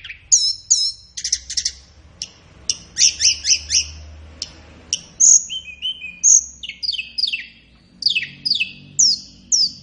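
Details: Captive-bird training track of a flowerpecker: clusters of high chips and ticks, a pair of clear thin whistles, then a run of descending slurred notes, each sharp and high-pitched, with a soft low hum.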